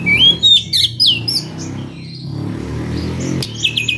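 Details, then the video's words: Oriental magpie-robin in the ringing ngeplong style, calling out to a rival, opens with rising whistles and bright slurred notes, then falls mostly quiet amid low background rumble before a few thin high notes return. "SUARA KACER NGEPLONG MEMANGGIL LAWAN DENGAN VARIASI SUARA ANEH"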